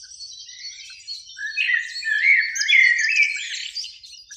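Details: Overlapping Eurasian blackbird song from a springtime beech near a lake in evening light, where two birds sing: a dense mix of soft fluted warbles beneath continuous thin, high twittering notes.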